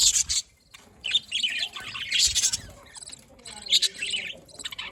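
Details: Pet budgerigars, described as able to talk, chirping: bursts of dense, scratchy high chatter and short twittering notes in several clusters, with brief quiet gaps between them.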